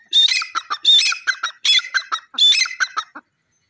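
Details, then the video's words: Black francolin calling loudly: four harsh, buzzy multi-note phrases in quick succession over about three seconds, each starting with a higher grating note followed by shorter clipped notes, then silence. "teeter ke awaz,dakhni teetar ki zor dar boli"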